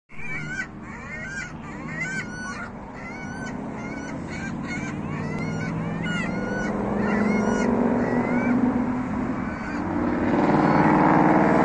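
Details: A flock of California gulls at Dixie Road, Derry, described as quarrelsome, gives overlapping, nasal, rising squeals and yelps several times a second, over a steady low rumble that grows louder toward the end.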